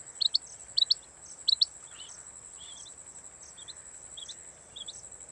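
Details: A female rain quail, recorded as a hunting call, gives three quick pairs of sharp, high double notes, then softer scattered chirps, over a steady thin high-pitched whine.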